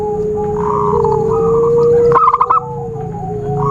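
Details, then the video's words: Zebra dove call used to lure birds for trapping: a loud, long whistled tone from another bird, then a quick burst of about five clipped cooing notes. "Suara Khusus PIKAT burung Perkutut/Merbuk Paling Jitu"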